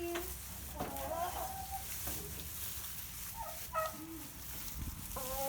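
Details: Older, rounder meat-type hens at a farm animal refuge, where they have lived about five years, give short, rising clucks and squawky notes in scattered bursts as they are greeted; a person's voice and low background hum.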